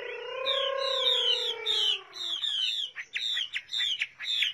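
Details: Chinese hwamei song opening with a long, low, descending whistle, then a run of high, sweet, down-slurred notes and short clipped phrases repeated about twice a second.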